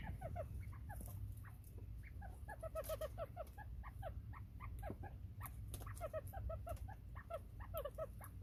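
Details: Quail kept in a coop, foraging for bugs and calling a lot, September 15, 2023: many brief high chirps and twittering peeps from several birds, steady chatter over a low constant hum.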